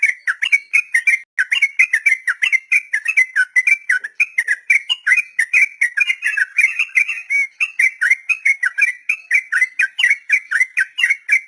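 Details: Long 'ropel panjang' song of a sooty-headed bulbul, played to teach untamed captive birds: an unbroken run of rapid, bubbly whistled notes, several per second, rising and falling without pause.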